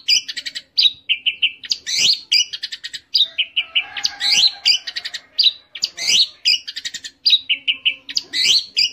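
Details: Orange-headed thrush 'teler' song. Dense, high-pitched chattering phrases mix quick trills with slurred whistles, repeating almost without pause for nearly nine seconds.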